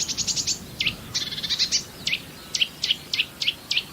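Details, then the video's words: Song of the marsh warbler, whose song includes striking imitations of other birds: a rapid rattling run, then buzzy trilled notes, followed by a series of sharp descending whistled notes repeated about every quarter second. "VARIASI KICAU MARSH WARBLER"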